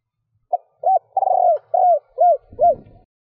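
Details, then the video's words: Female spotted dove cooing to prompt males: hollow hoots, a rolling burred note, then three arched coos, with a brief low thump at the end. "Tiếng cu gáy mái gù gáy kích bổi nhanh gáy / Chim cu gáy mái 3 hậu gù cà lăm / cu mái kích bổi"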